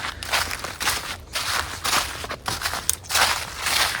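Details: Crunching footsteps on snow or brittle ground repeat irregularly, with no animal voices present.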